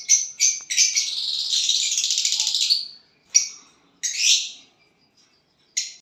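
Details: A violet bird, singing when it gets a partner, gives a long, buzzy, high-pitched chattering warble lasting about two seconds, framed by several sharp, bright chirps, in otherwise quiet surroundings.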